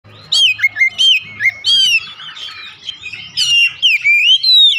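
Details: Oriental magpie-robin song played as therapy to coax a reluctant pet bird to sing: loud whistled phrases with sharp upslurs and downslurs, bursts separated by short gaps, plus a faint low hum underneath.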